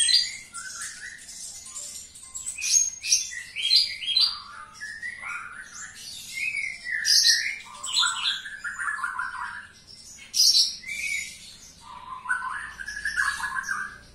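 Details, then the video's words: A Javan bush lark kept indoors sings nonstop, pouring out varied high chirps, trills and slurred whistled phrases that change every second or so, in a quiet room. "Branjangan dalam ruangan super gacor"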